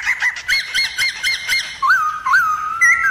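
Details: A Black-throated laughingthrush sings many-voiced forest-style phrases to stir other laughingthrushes into display: five evenly spaced short whistled notes, then a lower, rising-and-falling whistled phrase ending in a bright upward flick.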